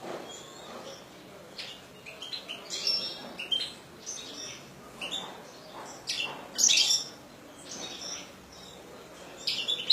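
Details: A kept European goldfinch sings a scratchy, high twittering song. Bursts of rapid chirps and trills come every second or two, with short buzzy notes and brief pauses between phrases, in a quiet indoor setting.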